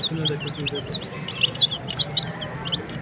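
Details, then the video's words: Many desi chicken chicks give rapid, bright, high-pitched peeps, several per second, with some sharper louder notes standing out; low background hum throughout. "MURGI CHICKS CHIRPING SOUNDS"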